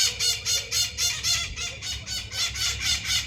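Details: Maritaca, a parakeet, making noise: loud, harsh, grating squawks repeated steadily about four times a second throughout, with faint low rumble underneath.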